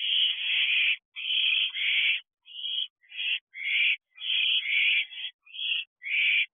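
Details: Wild owlets in a nest box at 12:34 am give harsh, breathy hissing calls, long rasping bursts back to back with short gaps, with no other sound heard.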